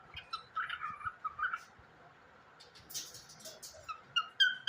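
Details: Pet cockatiel singing a sweet-voiced song: short warbled chirps and whistled notes in quick irregular bursts, pausing midway, then a sharper run of bright rising chirps, with some broadband rustling.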